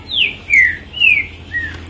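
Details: Green-winged saltator, an owned bird just taken back out, whistling a phrase of four slurred notes: a high falling start, two steadier mid notes, and a softer final one, clear over faint low hum.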